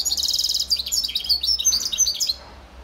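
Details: Serin mule (European serin hybrid) singing in 2021: a rapid, even, high trill opens the phrase, then breaks into a jumble of sharp, tinkling, rising and falling twitters that stop abruptly.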